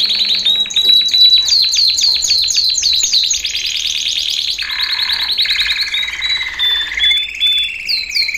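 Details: Male canary training song: fast repeated descending whistled notes, then rapid trills and rolls. A low buzzy passage comes near the middle, and high chirps follow at the end.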